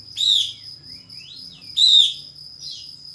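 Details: Pied fantail, known locally as kapas tembak, sings to provoke a rival into fanning its tail: two strong buzzy notes with layered overtones about 1.5 seconds apart, linked by soft upward squeaky sweeps, over a constant high tone.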